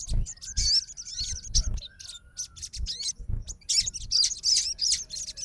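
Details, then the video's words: A fighter sogon, responding agitatedly to a rival sogon's song, gives dense high twittering and sweeping notes in bursts, mixed with low thumps and faint voices nearby. "SOGON FIGHTER LANGSUNG RESPON DENGAR SUARA SOGON GACOR"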